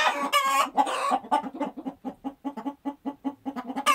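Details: A chicken gives a rapid run of short, low clucks, roughly two to three per second, after a few louder, drawn-out squawks at the start.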